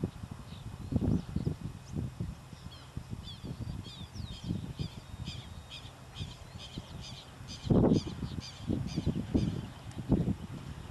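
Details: Greater rhea (Rhea americana) at Reserva Natural Iberá, Corrientes, Argentina, October 2010, giving deep, low grunting booms in irregular bursts, some close together, with faint high small-bird chirps behind.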